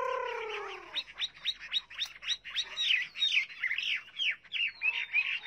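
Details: Chinese hwamei singing: a low descending whistle at the start, then a fast run of varied chirped and slurred notes, roughly three per second, with no other sounds.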